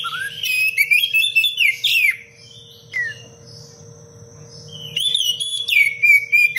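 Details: A kacer, or Oriental magpie-robin, delivers rapid 'cengkok rapat pedas' phrases meant for training other birds. Rising whistles and chirps fill two seconds before a quiet gap, then a long level whistle falls away at the end. A low hum runs underneath.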